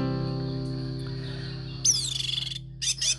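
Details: A captive Orange-headed Thrush (anis merah), set out in the morning, gives a harsh, high chitter that starts with a falling sweep and runs into a quick rattling burst, then two short sharp bursts, over a steady low hum.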